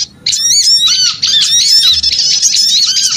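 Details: Small birds in a noisy lure recording, a brief gap and then a busy wall of high squeaky chirps and trills overlapping without pause, with curved down-slurred notes repeating underneath.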